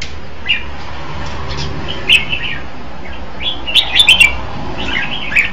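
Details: Red-whiskered bulbul giving scattered warbled notes, then a clicky, bubbling burst of song, ending with a short whistled phrase, over a low hum.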